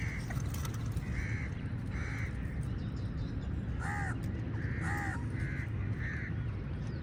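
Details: Crows battling eagles for food, a run of about eight harsh caws, some paired, spaced roughly every half second to second, against heavy low background rumble.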